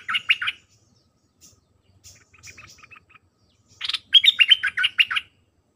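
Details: Red-whiskered bulbul 'dok' song for hand-fed young to learn: a short warbled burst, softer quick chirps in the middle, then a loud, dense run of rapid bright notes near the end.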